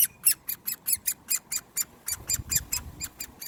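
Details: Great Spotted Woodpecker chick begging while being hand-fed on 1 June 2020, a quick rhythmic run of shrill scratchy notes, some soft low handling noise in the second half.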